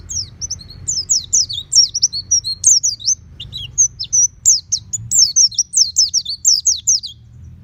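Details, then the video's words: Oriental white-eye at home singing loudly in the 'ngeplong' style: a long, continuous stream of quick high descending whistles and jumbled twitters, with only brief pauses. "Terapi Pleci Rumahan Agar Cepat Bunyi Ngeplong Full Buka Paruh"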